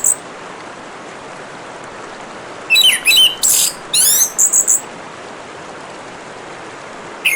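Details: Orange-headed thrush singing over a steady hiss of running water: a mostly quiet stretch, then a burst of rapid, high, twittering notes and sharp rising slurs near the middle, with one more brief note at the end.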